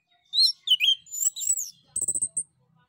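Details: Whistling male orange-headed thrush used as a lure for other birds: a lively run of varied slurred whistles, then four quick high piping notes, with faint low rustling underneath.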